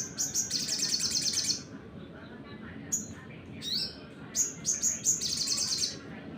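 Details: Sunbird song used as a lure for other birds: fast buzzy high trills in bursts, separated by quiet gaps, with crisp whistled notes and a rising slur between them.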